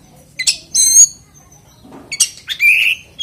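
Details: Oriental magpie-robin song used to draw other magpie-robins into song: short bursts of sharp chips and a buzzy whistle, separated by a near-silent gap with a faint low rustle.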